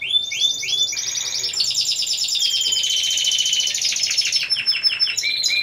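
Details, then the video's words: A team of four Timbrado Español canaries performing for a judge in November 2015: quick rising chirps repeated three times, then a long rich rolling trill that holds steady before breaking into rapid repeated notes. "2ος Διαγωνισμός - Έκθεση Καναρινιών Φωνής Timbrado Español"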